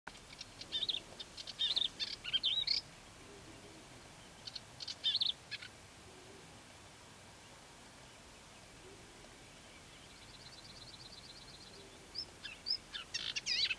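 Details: A melodious warbler in the Languedoc, France, sings quick, babbling bursts of high chattering and twittering notes, pausing between phrases, with a faint buzzy trill midway over soft background hiss.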